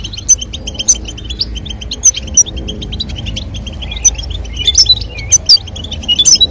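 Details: European goldfinch female calling and male singing toward mating: sparse, thin high chirps and short twittered notes, a cluster of sharp calls near the end over quiet background.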